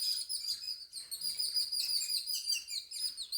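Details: High, rapid tweets from several birds kept at home, pulsing in short overlapping bursts.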